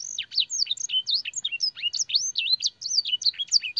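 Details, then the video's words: Canary singing a fancy training song with blackthroat and sanger phrases: loud, clear high whistled notes bending up and down in quick succession, each note a sharp curved slur, steady and continuous. "burung kenari gacor isian blackthroat dan sanger - suara masteran burung kenari"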